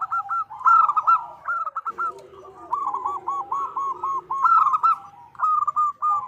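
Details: Zebra dove female calling the male, kept as a lure bird: bursts of quick, rolling coos in overlapping series, with a softer, lower cooing underneath in the middle section.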